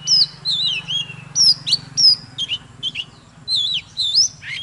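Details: Oriental magpie-robin sings while dancing: clear whistled phrases that dip and rise, repeated in short groups with gaps. A low hum is heard early on.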